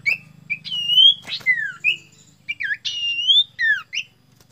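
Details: A Sirtu seeking a rival, with a thick, clear voice, sings loud, clear whistled phrases that slur up and down in quick bursts over about four seconds, with a faint low hum beneath.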